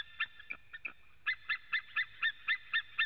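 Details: ['Male white-tailed eagle calling in Latvia, captured by a nest webcam on 23 September 2017 in the afternoon, with another male too. A few soft, scattered notes give way to a loud, regular series of yelps at about four per second.']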